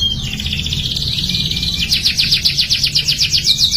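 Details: Singing canary, used as therapy to coax young canaries into song: a sustained high whistled tone for the first two seconds breaks into a fast, pulsing trill of sharp repeated notes, with a faint low background hum throughout.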